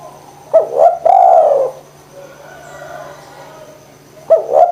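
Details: Spotted dove cooing eagerly, used to spur silent doves to call: a quick double coo leading into a long, bowed note, a soft interval, then the double coo starting again, with a steady low hum.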